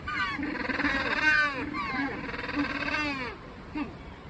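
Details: Captive Magellanic penguins at Joetsu City Aquatic Museum Umigatari in Japan, suddenly noisy after resting: loud donkey-like braying with long harmonic-rich wavering notes, several birds overlapping, then fading to short gasps.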